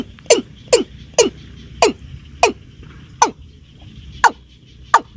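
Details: Watercock (keb-keb) calls played to lure birds for hunting: short, abrupt knocking notes that drop in pitch, about eight in five seconds at uneven spacing, with a faint steady high-pitched whine behind them.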